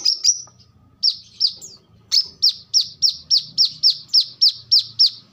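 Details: Song of a brown-throated sunbird, called kolibri kelapa or manggar, offered as a lure and song model: a few scattered shrill chirps, then a fast, even run of about twelve sharp, high down-slurred notes over a low background hum.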